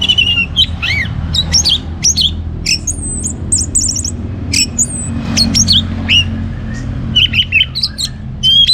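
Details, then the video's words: Orange-headed thrush in northern Bali singing to stimulate other birds: rapid varied mimicking phrases of sharp chirps, high thin whistles and short buzzy trills, delivered almost without pause over low hum. "ANIS MERAH Gacor Untuk Memancing Burung Jadi NGeplong Bahkan Teler"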